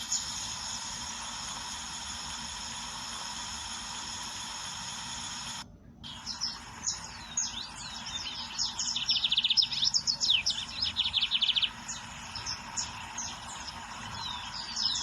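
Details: Steady broadband hiss fills the opening seconds, then a wild lined seedeater sings: mixed high chirps and slurs building into a fast rattling trill, tapering to softer notes.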